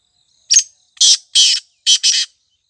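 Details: Black francolin, the kala tetar, heard in forest with a grating call phrase: a short opening note, then four rasping, buzzy bursts grouped in pairs over about two seconds.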